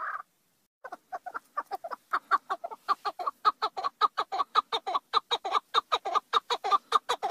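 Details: Chukar partridge calling: a brief note, a pause, then a long run of harsh clucking chuk notes that quicken and grow louder into a rapid, steady series of about four notes per second.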